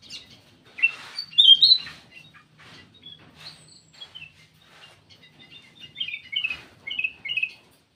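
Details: Black-crested bulbul giving a lure call, sharp whistled chirps bunched at first, then a series of slurred tweeting phrases later, over faint background hum.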